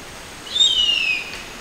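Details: A female harpy eagle calling for her mate gives one high, thin, wailing whistle that slides slowly downward over about two-thirds of a second, with faint background hiss.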